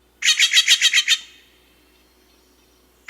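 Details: Steller's Jay, the second of two very common calls, in playback: a quick run of about seven harsh, scratchy notes, four per second, evenly spaced and slightly fading, then a silence and another note starting at the end.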